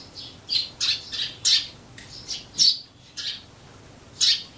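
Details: Eurasian tree sparrows, wild birds living near human homes through the year: a series of harsh, bright chirps, each a short burst, coming at irregular intervals about every half second to one second.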